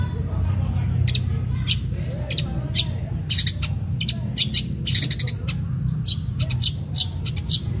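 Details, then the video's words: Long-tailed shrike in a sharp 'fighting' song meant to lure other shrikes into singing: rapid, varied scratchy notes and clustered harsh bursts, with a low hum beneath. "Cendet gacor Tarung Tajam Bikin cendet lain terpancing ikut Gacor"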